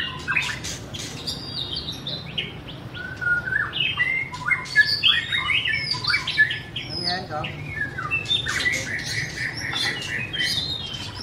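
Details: White-rumped shama song with sharp clicking chirps, whistled notes and harsher squawky phrases coming in quick bursts, over a low background hum.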